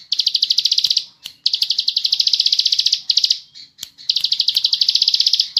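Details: Bar-winged prinia giving a lively 'ngebren' tutoring song. Rapid buzzy pulses at high pitch pour out in long continuous runs, each lasting one to two seconds, separated by short breaks.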